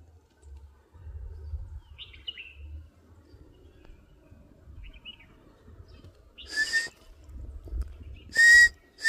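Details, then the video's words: Grey partridge giving two harsh, grating, creaky calls about two seconds apart, with faint chirps from another bird and low wind rumble underneath. "Grey Partridge"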